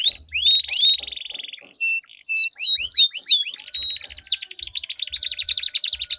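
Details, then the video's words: Long rolling canary duel, used as a lure and training song for contest canaries: drawn-out whistled slurs, a burst of swooping notes, then dense fast buzzy trills to the end. "Duel Burung Kenari Suara Merdu Ngerol Panjang || Pancingan Ampuh Kenari Macet Gacor Ngerol Panjang"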